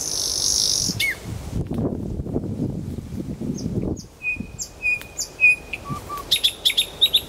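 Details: After several seconds of rustling, low noise, a nightingale in Kuzminsky forest park starts singing with clear steady whistles at two pitches, then a short burst of quick, sharp repeated notes.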